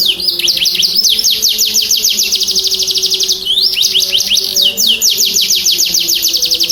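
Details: Vigorous canary song used to trigger singing in silent canaries: long rapid trills of high, downward-sweeping notes, broken by a brief rising slur near the middle, with a faint low hum in the background.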